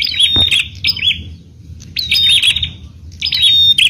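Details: A bar-winged prinia sings to prompt other prinias to answer: three buzzy, rattling phrases spaced about a second and a half apart, each mixing fast trilled notes and sharp chirps, plus a brief low thump early on.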